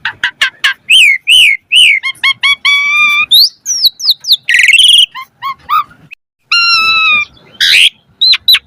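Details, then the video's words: Lure song of the Asian pied starling in 'variasi mompa' style: rapid chirps, stacked harmonic whistles, a harsh rasping burst, a brief silence, then a steady nasal tone and sharp upward whistles. "Pancingan Jalak Suren Full Variasi Mompa - Masteran Suara Burung Jalak Agar Gacor Full Isian Mewah"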